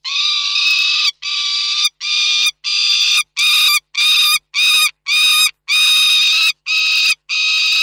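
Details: Around eleven loud, grating calls from peregrine falcons at Reda, Poland, recorded 29 June 2024, some long and some clipped, in an insistent uneven sequence.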